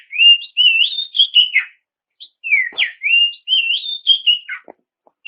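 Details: Clear whistled song of an Oriental magpie-robin, sung as a lure to make rivals respond: two matching rising and falling strophes of fluty notes, separated by a brief silence.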